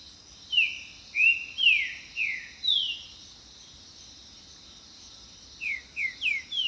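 A green-winged saltator gives a phrase of five rich, slurred whistles, pauses, then repeats a shorter run of four, over a steady high insect drone.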